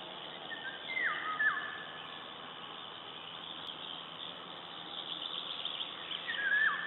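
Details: A Eurasian golden oriole (Oriolus oriolus) singing in Latvia on 16 May 2012: two fluty, liquid whistled phrases about five seconds apart, each sliding down then lilting up, over steady background hiss.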